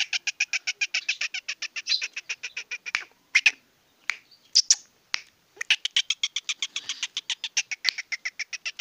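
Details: Sindhi black francolin, a young male in high spirits, chattering in quick dry clicks, pausing for a few scattered louder notes, then resuming the rapid rattling series.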